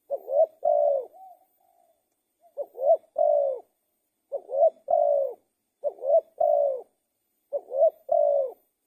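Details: Spotted dove singing repeatedly: five low cooing phrases, each a quick rising note, an upslurred coo and a longer even coo, spaced about every one and a half seconds, with a soft trailing note after the first.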